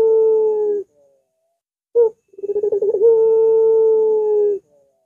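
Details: Barbary dove (puter) giving a long, curving voice suited as a lure for other doves: a steady drawn-out coo, then a short note and a stuttering, quavering run that settles into another long level coo.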